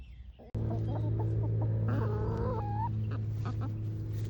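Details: Backyard hens foraging in the morning: soft clucks and a drawn-out, slightly rising tonal note, over a steady low hum.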